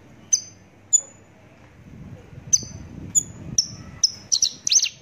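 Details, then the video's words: Javan bush lark singing thin, high, downslurred chirps, spaced at first and then tumbling into a quicker cluster of notes toward the end, with soft low background noise. "branjangan javanica"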